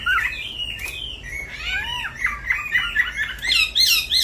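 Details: Night-time striated grassbird song used as a lure: rapid squawky chirps and bent whistled notes in a jumbled, energetic run, with brief harsh high notes near the end.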